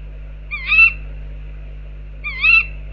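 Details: Two brief, wavering, slightly rising owl calls about two seconds apart from tawny owls outside an owl box, over a quiet steady hum.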